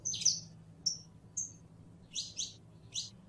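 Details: Prelono song from a canario criollo, the saffron finch: a loud chirp burst, two short thin whistles, then three paired high notes spaced evenly, over a soft low hum.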